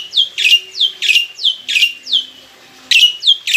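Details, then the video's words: A mature black-winged myna, kept caged, sings a lure song to draw a response. Bright downward-sliding whistles alternate with rasping squawks in a steady rhythm, with a short pause before the pattern resumes. "PANCINGAN BURUNG JALAK PUTIH FULL ISIAN"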